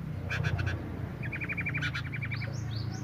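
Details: Breeding male and female sooty-headed bulbuls calling 'nyrecet': a rapid rattling run of a dozen clipped notes, followed by several high rising whistles, with clicks at the start and a low hum throughout.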